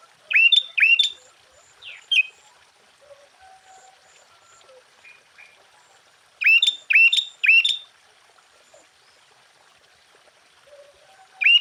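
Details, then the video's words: Lively sooty-headed bulbul song used as a lure to make other bulbuls respond. Loud bursts of three quick, liquid, rising-falling notes are separated by quieter gaps with faint distant chirps. "Suara Burung Kutilang Gacor KUTILANG FULL ISIAN Ampuh untuk menaikkan Mental EMOSI Kutilang Lain."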